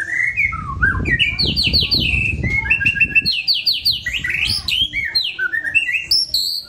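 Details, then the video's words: Relaxed song of a white-rumped shama, continuous chattering and warbled phrases with repeated slurred notes, over a busy low rumbling background. "Murai Batu SH bunyi santai"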